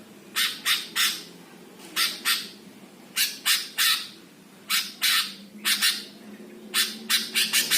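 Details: Greater green leafbird master song used to stir up other birds: loud grating squawks in repeated bursts of three or four notes, roughly every second and a half, over a quiet hum.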